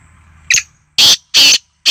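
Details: Black francolin (kala teetar) call, partly captured: a brief scratchy lead-in note followed by two long, loud, grating bursts and the start of a third, with a quiet low hum behind.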